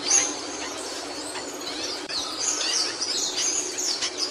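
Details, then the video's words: Capuchino seedeater singing: a dense, busy stream of high, quick chirps and short whistled notes, rising and falling, over steady background hiss, with other small bird voices mixed in. "CAPUCHINO CANTANDO"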